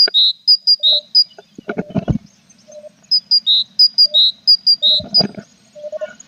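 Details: Tits at their nest box with chicks, 21 April; loud, clear high notes repeated briskly, alternating a thin upper note with a slightly lower fuller one, interrupted by scraping thumps.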